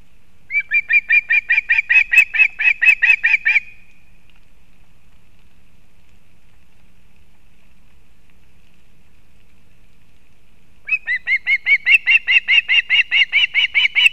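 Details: At a Kurzeme, Latvia nest on 31 August 2024, a female osprey brings fish to her chick: two bursts of rapid, evenly repeated whistled chirps, about two per second, separated by several seconds of silence.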